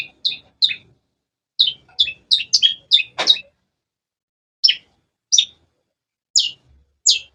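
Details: Long-tailed shrike repeating sharp, falling chirps in irregular clusters, a dense group in the first half, then single chirps spaced about a second apart, with one soft thud.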